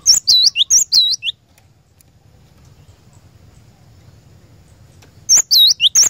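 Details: Cinereous tit song to lure a caged bird into singing: short bursts of high, dipping whistles with lower slurred notes open and close, separated by about four seconds of near silence with low hum.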